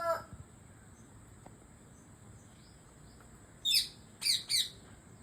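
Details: An Indian parrot, chirping while eating papaya, gives three harsh, high screeching chirps in quick succession near the end, over a steady high-pitched hum and faint background noise.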